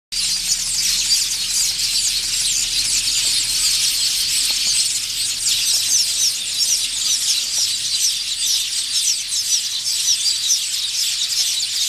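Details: Colony of village weavers building nests in thorn trees near a village on an African safari, males displaying frantically to attract females; dense, continuous high-pitched squealing and chattering from many birds, steady throughout.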